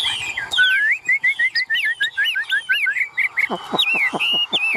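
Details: A tame caged Chinese hwamei with yellow bill and legs sings a quick series of repeated, evenly spaced whistled notes, then sharp clicking sounds mixed with sliding whistles at the end.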